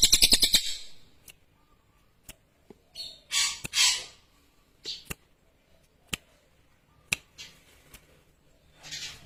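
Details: Lesser green leafbird singing: a quick run of sharp buzzy pulses, then scattered harsh, bright chattering bursts and isolated dry clicks separated by short silences, in a quiet indoor setting.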